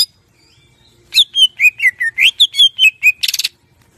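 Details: Greater green leafbird in clear, lively song meant as filler material for mastering captive birds: after a quiet start, a quick string of slurred whistles falls and rises, closing in a short buzzy rattle.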